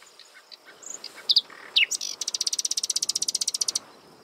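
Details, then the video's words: A common nightingale perched on a prickly pear cactus sings a high phrase of sharp whistles and chirps, then a fast rattling trill of about two dozen even notes. "Ruiseñor Común cantando"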